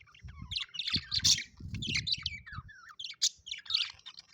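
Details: Pet budgerigars chirping, described as happy: dense overlapping high warbles, chirps and short squawky notes in busy bursts, with low thumping noise underneath through the first half.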